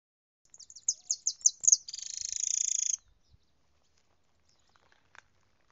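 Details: European goldfinch singing: a few quick, bright, high notes climbing in spacing, followed by a sustained buzzy, tinkling trill for about a second, then quiet with a faint click.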